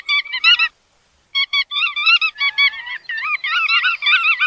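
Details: Bar-tailed godwit calls: quick nasal yelps in short groups, a pause of about half a second, then quickening overlapping chatter that becomes a continuous wavering chorus.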